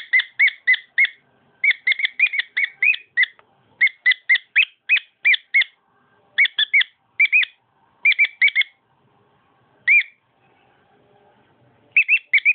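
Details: A domestic cockatiel delivers grouped runs of sharp chirping whistles. The groups stop and start, with longer quiet gaps toward the end.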